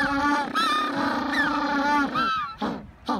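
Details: African penguins bray in long, nasal, mule-like notes, each held over a second, then break into short gasping honks at the end.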